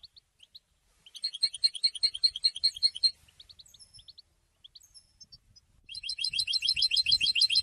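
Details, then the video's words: Goldfinch song, used to announce presence and attract females: a few soft high notes, then a rapid run of about ten ringing repeated notes, scattered thin calls, and another fast rattling twitter; faint low rumble beneath. "Golden songs for goldfinch voices for education and training"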